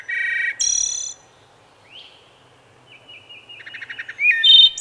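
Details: Singing wood thrush delivers a fluted low phrase and a bright high trill, then after a pause soft whistled notes, quick stuttering pips and a clear flute-like phrase rising into another high flourish.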